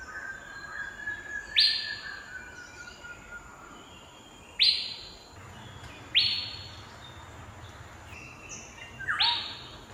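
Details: Calls of an Asian fairy-bluebird: four sharp, sudden notes, each starting with a steep upward sweep and trailing off. A faint level whistle and softer background bird notes are heard between them.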